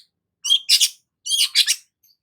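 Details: Long-tailed shrike (cendet) giving two harsh, grating double calls about a second apart, noisy and broad-toned, used to provoke other shrikes.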